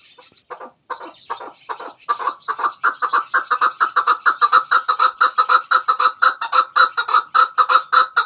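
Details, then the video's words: Chukar partridge calling for a hunting lure: faint, uneven notes at first, building after two seconds into a loud, rhythmic series of clucking chuk calls repeated about three times a second. "Chakor ki awaz |sound of kekliksesi partridge"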